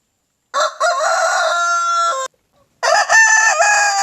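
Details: Leghorn rooster giving a loud, rich crow of nearly two seconds with a brief break after its opening note, then starting a second crow after a short pause.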